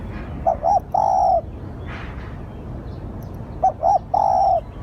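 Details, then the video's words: Spotted dove lure call, two three-note phrases of short coos ending in a long smooth coo, about three seconds apart, with a soft noise burst between. "Tiếng chim cu gáy gọi hay / เสียงต่อนกเขาได้ผล100%"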